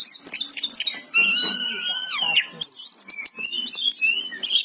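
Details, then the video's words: Kacer song in gacor style from an Oriental magpie-robin, mixing quick chips with a sustained harsh, nasal tone lasting about a second, followed by a bright burst of overlapping high whistles and chatter. "Suara burung kacer gacor"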